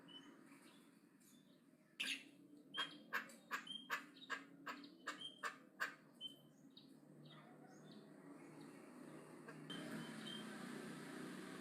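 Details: Javan myna in aggressive, loud chattering: after two quiet seconds, a rapid burst of about a dozen sharp, clicking, scratchy notes runs for four seconds, then fades into softer calls and rising background noise.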